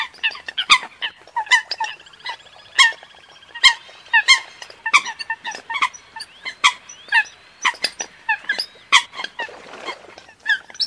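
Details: Eurasian coot calls: a dense chorus of short, sharp, nasal notes from several birds, overlapping and repeated irregularly throughout, some higher and some lower.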